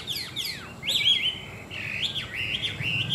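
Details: Tame Chinese hwamei singing: loud sweeping whistles, then long wavering warbled notes held high and bright over a low background hum.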